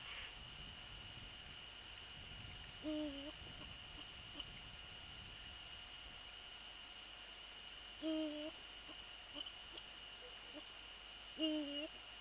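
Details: Eurasian eagle-owl at the nest during a prey transfer, with the male on the nest, on the evening of February 3, 2014. Three short tonal calls spaced several seconds apart, with faint rustling and a constant background hum.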